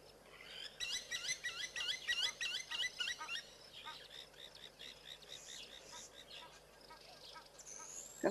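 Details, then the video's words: Blacksmith lapwings in Africa during the rainy season give sharp, metallic clinks in a quick run of about a dozen notes, then a softer trailing series, over a steady outdoor hiss. "Got some blacksmith lapwings as well. You can hear them quite clearly."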